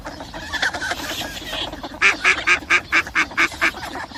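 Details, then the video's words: Mallard calling: a loud series of about eight harsh nasal quacks repeated roughly every quarter second, preceded by softer mixed calls and background noise. "صوت البط الخضارى Anas platyrtynchos"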